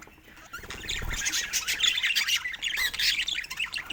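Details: Pet budgerigars chirping: a soft thump, then continuous quick, high, squeaky warbles and twitters tumbling over one another.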